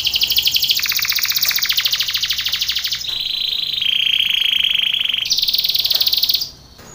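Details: Belgian canary training song: fast, buzzy trills and rolls shifting between pitch levels every second or two, continuous and bright throughout.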